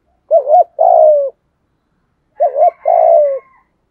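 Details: Spotted dove in 'giọng thổ' voice, used to call wild doves in: two phrases, each a doubled wavering note followed by a long buzzy descending coo, the second backed by a faint thin whistle.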